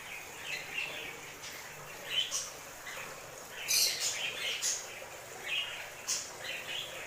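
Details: Birds singing, heard as scattered high thin chirps and short twittering notes, some louder bursts around the middle, over a steady faint background hiss.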